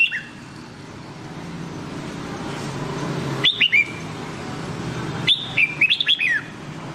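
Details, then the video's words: Nam Đông style red-whiskered bulbul singing, played to train a white-cheeked bulbul's voice: a few crisp, high whistled phrases with sharp up-and-down inflections, separated by quiet stretches with a faint background hum. "Luyện Giọng Chào Mào Má Trắng Bằng Giọng Chào Mào Nam Đông Hay Nhất 2022"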